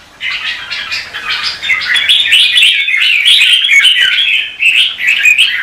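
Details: Red-whiskered bulbul contest song from morning training sessions: an almost unbroken stream of rapid warbled and chattering notes lasting several seconds.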